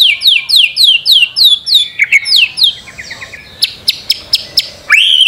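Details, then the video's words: A white-rumped shama master recording for encouraging birds to sing: a rapid train of high downslurred whistles, softer notes with sharp clicks, and a final upswept whistle. "Masteran murai batu. Di jamin langsung rajin bunyi"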